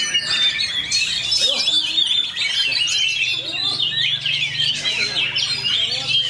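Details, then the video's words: Oriental magpie-robin (kacer), fighter style, pouring out a tight, fast rolling song of high looping whistles and chatter, over a steady low hum. "KACER ROLL SPEED RAPAT"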